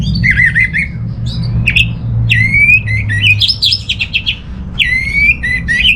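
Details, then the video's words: Orange-headed thrush in full song: varied, loud, slurred whistled phrases, some trilled and some rising or falling, delivered in bursts with short gaps, over a constant low hum. "ANIS MERAH Mau Nyaut Gacor"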